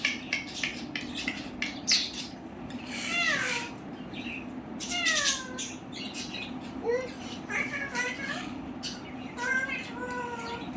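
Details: Talking parrot, said to say "Radhe Radhe", repeats harmonic, speech-like phrases that glide downward, scattered with clicks and short squawks, against a steady low hum.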